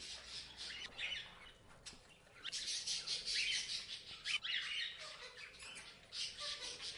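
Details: Parrot chirping: after a subdued first two seconds, a busier patch of rasping squawks and sharp high chirps, with a quick accented note midway.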